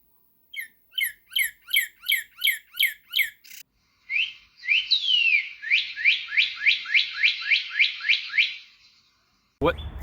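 Northern Cardinal song: about eight clear, downslurred whistles at a steady pace, then a rising slur and a fast run of slurred notes.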